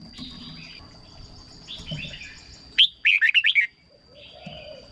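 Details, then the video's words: Red-whiskered bulbul song played to excite birds or as a decoy: a brief burst of bright, bubbling notes near the middle, sharp rapid chirps between quieter stretches, with a steady high electronic whine throughout. "เสียงนกกรงหัวจุก สำหรับต่อ หรือ เปิดให้นกคึก เสียงเพราะๆ"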